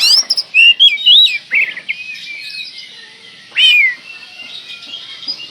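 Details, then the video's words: Oriental magpie-robin song played as a lure to provoke another magpie-robin: rapid bursts of rich warbling whistles and curling notes, then a single loud falling whistle, with quieter chatter continuing behind. "pancingan burung Kacer gacor ini bisa mendobrak emosi Kacer anda"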